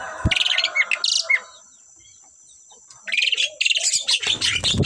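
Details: An Asian pied starling pair singing, a quick bout of harsh chattering with two short whistled notes, a silent gap of nearly two seconds, then a louder rush of scratchy, squawking chatter.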